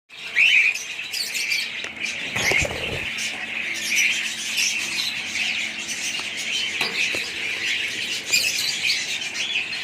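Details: Budgerigars in a colony: dense, continuous chattering and warbling from many birds, with sharp squawks near the start and a brief low thump partway through.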